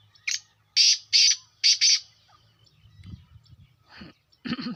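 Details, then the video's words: Black francolin call: one short rasp followed by four loud, buzzy, grating notes in quick pairs, then quieter low rumbling and a few softer harsh notes. "کالا تیتر کی آواز"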